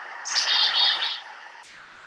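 A Black-capped Chickadee gives a quick burst of high, buzzy, rapid notes lasting about a second, followed by a faint sharp note.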